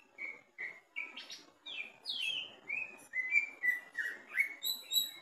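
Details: Greater green leafbird singing from the bottom of its cage during a mental test, delivering a lively run of clear whistled notes, slurred downward and rising, repeated about three per second, with a few sharper high chips near the end.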